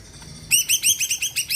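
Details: Singing greater green leafbird, used to get other birds singing. After a brief quiet start comes a steady series of loud, clear, arching whistled notes, about six in a second.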